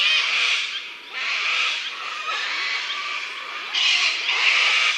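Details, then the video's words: Sulphur-crested Cockatoo giving long, harsh, grating screeches, three drawn-out squawks in five seconds, each about a second long with brief gaps. "Okay, sulphur-crested cockatoos give off a loud, grating squawk. Let's have a listen."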